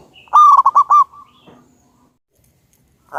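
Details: Local wild-type zebra dove with a big voice, recorded as a lure: one loud, rapid run of about five clipped, rolling coos trailing into a soft note, followed by near silence and the start of another call.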